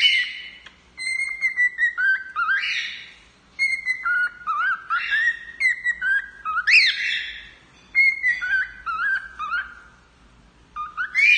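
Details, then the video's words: A male cockatiel sings for its owner, giving a long run of whistled notes, some sliding upward, others flat and sustained, in phrases broken by brief silences; a faint low hum lies underneath. "Calopsita Macho cantando para a dona"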